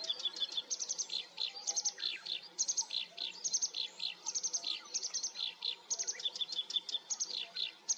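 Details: Black-browed reed warbler song used as a training recording for cage birds: a rapid, chattering run of high buzzy notes and sharp chips, with repeated short phrases and no pauses, over faint background hiss.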